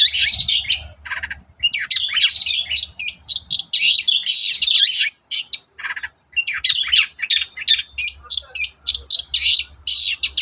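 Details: Nearly continuous morning song of a long-tailed shrike, a lure to make other shrikes sing: dense, harsh, rambling chatter of mixed rasps and chirps with few pauses over a faint low rumble.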